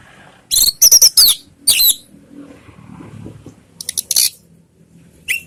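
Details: Orange-headed thrush, locally anis merah, singing a ngeriwik-style lure meant to draw answers from other birds: loud bursts of high, harsh, twittering notes around a whistled phrase, separated by quieter gaps with faint low background noise.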